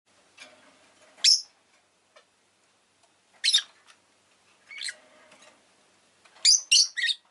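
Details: Rosy-faced lovebird chirping: harsh, high, shrill squawks given singly at irregular gaps, ending in a quick cluster of three sharp chirps, with faint softer chatter between them.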